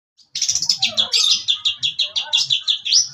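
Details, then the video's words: Long-tailed shrike of the Priangan type, a young bird moulting out of its spotted juvenile plumage, singing in a fast, energetic burst: rapid high chirped notes repeated about every tenth of a second, some buzzy, a few rising whistles at the end. "GACOR MELEDAK Cendet Priangan"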